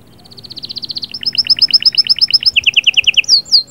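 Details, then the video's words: Canary trilling to stimulate a female: an accelerating string of rapid chirps, stepping lower in pitch midway, finishing with a couple of swooping whistles. "صهصهات وبتبتات طائر كناري غول و تغريد🔥🔥 يجهزلك الانثي فورا"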